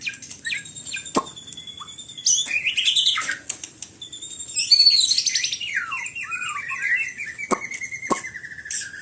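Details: White-rumped shama singing a varied phrase of whistled and scratchy notes, with rising and falling slurs, a bright high flourish near the middle, then a long steady whistle sliding gently downward, broken by sharp clicks.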